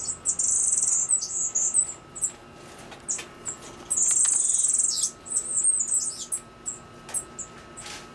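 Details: Cuban grassquit gives a high, sizzling buzz lasting over a second, then a second buzzy phrase about three seconds later, with scattered sharp chips and ticks between and after.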